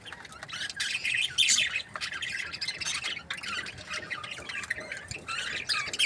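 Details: Breeding pairs of budgerigars chattering nonstop, a dense overlapping stream of scratchy warbles and short high chirps with louder squawky bursts near the middle.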